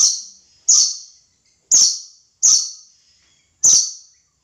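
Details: Harsh, rasping screeches from a red lory, five loud bursts at uneven intervals of about one second, each one starting abruptly and then trailing off, over a quiet background.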